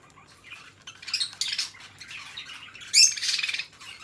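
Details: Pet budgerigars, two companion birds, giving quiet scratchy chatter that swells into a couple of louder harsh squawky bursts, the last one sharp and high with a short whistle.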